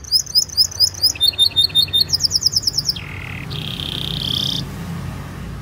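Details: Canary training song for young birds: quick upswept chirps and a rattling trill over three seconds, then a low buzzy note and a higher harsh buzz.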